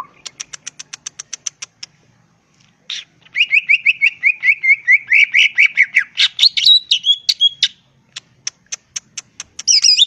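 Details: Green leafbird in gacor ngentrok style: a long run of evenly spaced sharp ticks, then a rolling, pulsing trill of whistled notes that rises in pitch, closing with scattered ticks and a looping high whistle.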